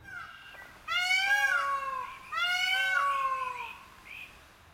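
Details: An Indian peafowl outdoors in South Mississippi gives two loud, nasal, wailing screams about a second apart, each rich and slightly falling in pitch, against a quiet background.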